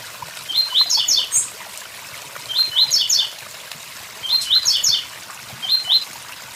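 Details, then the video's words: Beside a waterfall, a blue-black grassquit repeats a short high buzzy phrase of rapid stacked notes roughly every one and a half to two seconds, water rushing throughout. "Tiziu tui tui zel zel com som de cachoeira"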